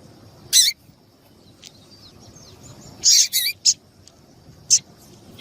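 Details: Female double-collared seedeater calling intensely, used to excite and warm up cold males: sharp, explosive chip notes at irregular intervals, a quick cluster of three midway, over a faint thin high tone.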